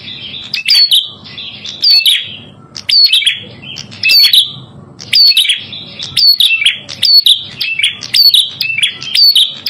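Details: Red-headed prinia lure song: long run of loud, rapid chirped phrases with sharp rising whistles, repeating about once a second with short gaps, low hum faintly present.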